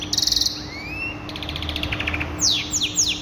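A canary sings a quick high trill, a long rising whistle, a rolling buzzy tour, then three fast downward-sweeping notes, over a faint steady hum.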